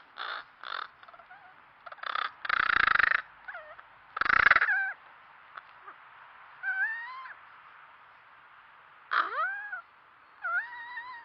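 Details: Crows in a backyard in Nova Scotia, Canada, caught on a trail camera after walking off camera, give unusual sounds: a varied run of harsh caws, short clicks and odd warbling, wavering notes, in irregular bursts over about eleven seconds.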